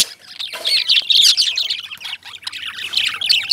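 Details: Lovebirds twitter in rapid, scratchy high chirps that rise and fall in volume, one brief lull in the middle, then louder bursts at the close.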